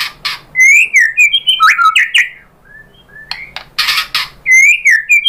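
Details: Lure song of a white-rumped shama, meant to make a caged bird reply: rich varied whistles, warbled slurs and sharp clicking notes, a brief quiet gap, then bursts of harsh chatter and more fluting phrases.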